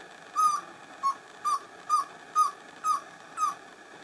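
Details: Pale-billed antpitta, endemic to Peru, heard at San Lorenzo in the humid montane forests of the north. Seven short low notes follow one another about every half second, each bending slightly downward.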